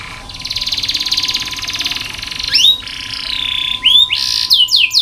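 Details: Canary singing as a training tutor for other canaries: a long buzzy trilled rattle held for two seconds, then rising whistled notes and short sweeping phrases, over a faint constant hum.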